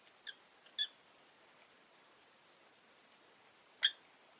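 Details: Indoor caged rosy-faced lovebirds, five birds by a window, make scattered high, clipped chirps, two close together early and one sharper call near the end, over faint background hiss.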